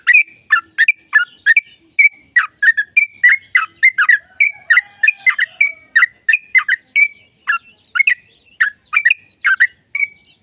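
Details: Sooty-headed bulbul in long 'ropel' trill song, played to stimulate caged birds into singing; a steady stream of bubbly, chattering notes, several per second, rising and falling in quick bursts throughout with no other sounds.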